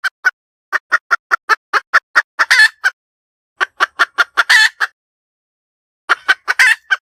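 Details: Cackling hen giving steady rows of clipped clucks that end in a louder, rasping drawn-out squawk, repeated in three bouts.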